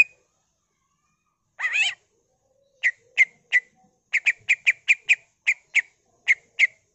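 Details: Greater green leafbird singing vigorously in the ngentrok style with mimicked fill-in phrases (isian), used as a lure to spur other leafbirds to sing: one brief rich warbled burst, then about fourteen sharp, clicky notes in a fast, uneven series.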